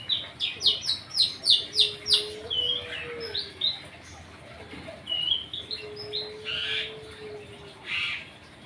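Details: Long-tailed shrike singing 'rol dot' in response to another bird: a fast run of about eight loud, evenly spaced chirps, then softer scratchy notes, with a low steady whistle behind.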